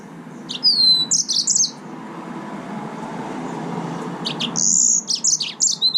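Yellow-fronted canary singing two bright, high bursts of quick whistles and twittering trills, separated by a pause, over a steady low background hiss.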